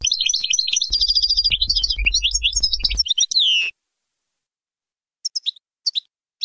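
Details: European goldfinch song in the Bainam Gazrat style for tutoring chicks: three seconds of dense, fast twittering with a low hum underneath, ending in a falling whistle, then a few sparse chirps.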